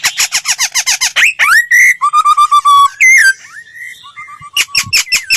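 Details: Laughingthrush lure song for training voices: a fast regular burst of harsh stacked notes, a rising slurred whistle, a trill of low clipped notes, then looping whistles and a few sharp final notes.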